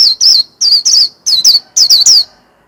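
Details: Close-up warbling white-eye song, loud high chirps falling in pitch, given in quick pairs and triplets with brief gaps between groups.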